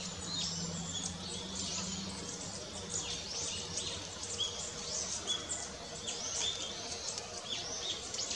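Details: Japanese tit on 5 November 2017 giving thin, high chirps and short twittering notes, scattered through the clip over a steady hiss of background noise and a low hum.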